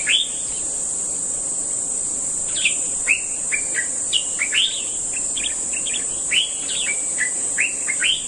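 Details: Common bulbul giving many bright, liquid whistled notes in quick, irregular succession, some rising and some falling, over a steady high-pitched insect drone throughout.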